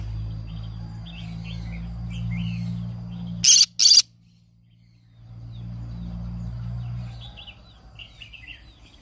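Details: Morning singing of a pet green-cheeked conure: a brief pair of piercing, raspy squawks stands out midway. Low droning hum and faint distant chirping fill the rest.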